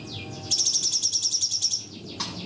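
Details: Cungkok tembakan song, used as masteran for training young birds: a single high, fast, pulsing trill of a little over a second, followed by a sharp falling note, with faint background noise.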